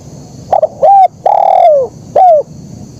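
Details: Spotted dove, 'kuk 1' song pattern. A quick double note and a short coo, then a long sustained coo falling away, ending with a single crisp coo. Recorded loud and clean.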